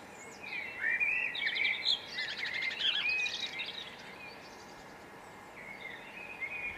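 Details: Hawfinch recorded in Brittany, France: a burst of quick, high twittering and thin chipping notes over about three seconds, then quieter scattered notes against a faint steady background hiss.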